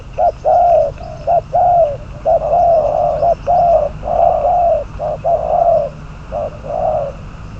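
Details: Spotted dove number 22, a trapping decoy, calls in a continuous run of low coos, alternating clipped notes with drawn-out ones at about one per second, close and clear.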